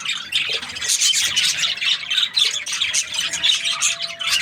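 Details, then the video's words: Budgerigars chirping happily, a dense overlapping chatter of high scratchy squawks and twittering notes with no pauses, several birds calling at once, with a faint steady hum underneath. "Happy Budgie chirping sounds"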